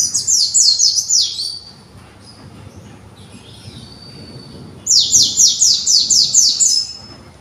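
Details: Young captive white-eye from a conservation project practising and arranging its song: a burst of quick, high, downslurred notes, then a quiet pause with faint soft notes, followed by another fast run of high descending notes about four per second.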